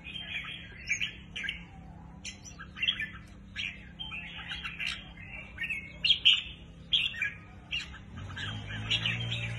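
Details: A red-whiskered bulbul kept in a cage, newly acquired, sings short, sweet whistled phrases separated by brief pauses, with a few sharper notes near the middle. A faint low rumble enters at the end.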